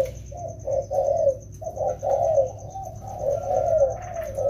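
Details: Two wild-caught spotted doves, trained in the rainy season, repeat rounded low coos in phrases about a second long, each swelling and fading, with a faint thin high tone throughout.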